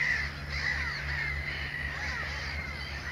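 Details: Mediterranean gulls at a breeding colony at Sol de Loire, Montjean-sur-Loire, Maine-et-Loire, 12 May 2013, alongside black-headed gulls and common terns; overlapping nasal, downslurred calls from many birds, with steady low background rumble.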